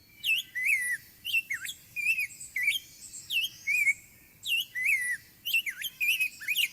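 A Rose-breasted Grosbeak sings a sweet, warbling song of short whistled phrases, rising and falling in quick succession, robin-like but smoother and more liquid.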